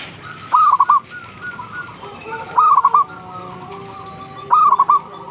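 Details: Zebra dove in the morning: three rolling phrases about two seconds apart, each a higher opening coo and then tumbling short notes, with faint low tones behind.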